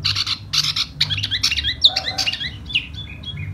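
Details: Silver-eared laughingthrush in spring display singing hót xoè, starting with harsh, scratchy rasping bursts and moving into a jumble of quick chirps and short whistles, with a soft warble in the middle.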